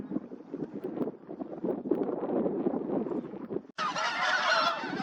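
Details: Bean geese in winter at a clear-water reservoir in Cheorwon, South Korea, suddenly startled into flight by a white-tailed eagle: dense, overlapping honking amid a rush of wingbeats, turning harsher and higher as the birds lift off.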